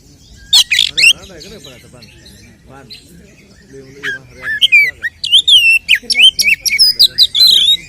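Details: Kacer (oriental magpie-robin) giving a fighting song to provoke rival males: loud harsh notes at the start, softer lower warbling, then a dense, rapid sequence of sharp whistled slurs rising and falling.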